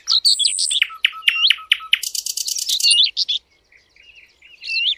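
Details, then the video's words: Sylvia warblers on a recording meant as a lure for hunting: runs of sharp high ticks and chirps, a fast buzzy rattle near the middle, then softer scattered twittering, several birds overlapping. "صيد وصوت طيور الدخل Sylvia sound"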